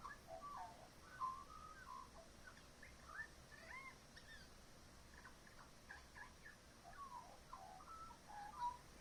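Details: Backyard magpie copying sounds of other local birds: clear warbled whistles, quick slurs and short trilled phrases with brief pauses, heard at a distance over soft hiss.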